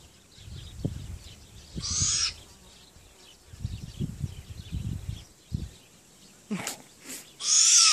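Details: A young owl, a hybrid of great grey owl and Malay wood owl, suspected to be female, gives low, muffled hooting notes in short bursts broken by harsh, breathy hisses; Great grey owl × Malay wood owl hybrid.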